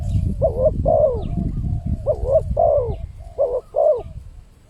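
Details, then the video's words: Spotted dove cooing, used as a lure recording to attract wild birds: three low cooing phrases about a second apart, each a quick doubled coo followed by a longer falling note, over steady low rumbling background noise. "suara pancingan burung tekukur"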